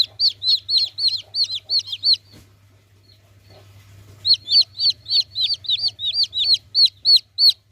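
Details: Young chicken peeping loudly in quick bursts of high, downward-curving notes; the calling stops for about two seconds mid-way, then resumes at the same fast pace, with a constant low hum underneath.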